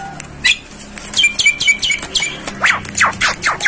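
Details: Black-winged myna used as a master song: quick chirpy notes and short whistles, then a run of sharp descending sweeps repeated rapidly.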